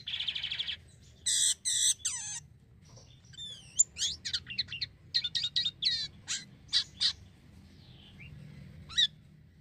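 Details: Actively singing black-winged myna, used to lure other mynas: a buzzy note and two harsh rasping bursts, then scattered sharp whistles and clicks, spaced short chirps and a final high whistle, with quiet gaps between phrases.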